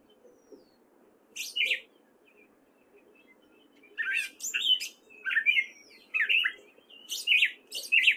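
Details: Male gray catbird in Fairfield, Iowa, singing in spring: short bursts of squeaky, warbled phrases, several in quick succession after a quiet stretch, each group separated by brief pauses.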